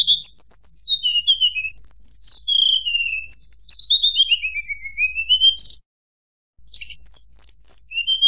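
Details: Flute-like nyuling song of a tledekan gunung, used to rile rival birds: long cascades of high whistled notes sliding down and rising again, a brief silence, then renewed descending whistles.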